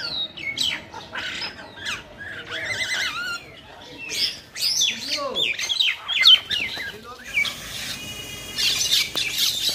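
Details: Fighting common mynas in Keranigonj, Dhaka, Bangladesh give a rapid jumble of harsh squawks, whistled notes and chattering calls, loud and continuous, with faint background noise.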